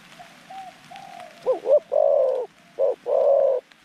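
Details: Zebra dove used as a decoy to lure wild doves into a trap, singing a mid-pitched song: soft low coos, then a quick double note followed by long buzzy rolling coos, repeated.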